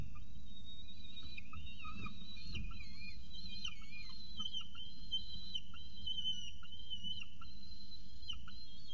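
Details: Peregrine falcon at the CSU Orange nest with a pigeon for breakfast, 24 October 2018 near 8 am; thin, wavering whistled wails held for seconds, rising and falling, over a steady low rumble.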